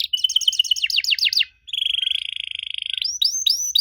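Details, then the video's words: Unusual canary song meant to get young canaries to respond: a rapid run of sharp downslurred chirps, a brief pause, then a long even buzzy trill ending in upswept whistled notes. "Kenari Muda pasti nyaut kalo denger suara aneh kenari ini."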